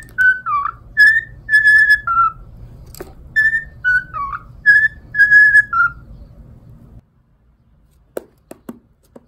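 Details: Cockatiel whistling My Neighbor Totoro: a lively series of clear melodic notes, some with quick downward slurs, for six seconds, then quiet with a few faint clicks.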